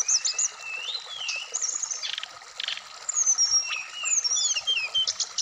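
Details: Black-throated laughingthrush kept in a cage in Indonesia, giving long slurred whistles that rise and fall, mixed with brief rough bursts and high twittering notes.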